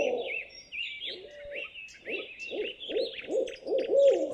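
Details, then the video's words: Owl calling in a series of short, bouncing low hoots, about two or three per second, with a brief steady note early on. Higher chirping birds overlap throughout. "SOM DE CORUJAS - DIVERSAS E INCRÍVEIS CORUJAS - OWL SOUND - CANTO DAS CORUJAS"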